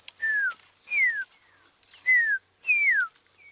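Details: At dusk on an evening safari drive, 8 April 2016, a drongo mimics a pearl-spotted owl with four clear descending whistles, about one every 0.9 seconds, and fainter slurred notes between, possibly to deter other birds from its territory.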